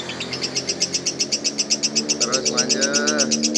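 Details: Lovebird in lively, talkative voice, giving rapid high chirps repeated about four times a second in an even run, with a few lower sliding notes near the end and faint background murmur.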